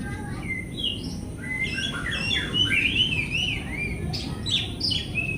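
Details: Oriental magpie-robin, played as a training lure for mute or non-singing kept birds, delivers a quieter, varied run of sweet whistled notes, slurred upward and downward, over steady low background hum.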